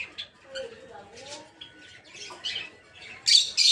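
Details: Rosy-faced lovebirds kept for breeding in an aviary, several colour mutations together. Scattered scratchy chirps build to a loud, grating double shriek at the end, with faint low murmuring behind.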